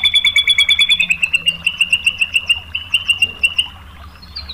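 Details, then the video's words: White-rumped shama singing as a lure to provoke rival shamas: a fast series of sharp, evenly pitched chips, quickening then slowing over four seconds before fading, with faint low background hum. "SUARA MURAI BATU FULL TEMBAKAN ¦ PANCINGAN MURAI ¦ SHAMA BIRD"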